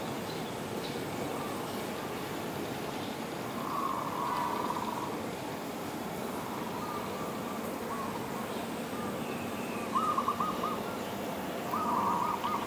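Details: Dove perched on a tree giving short, pulsed, purring coos, several phrases spaced a few seconds apart, the last two louder, over a constant low background rumble.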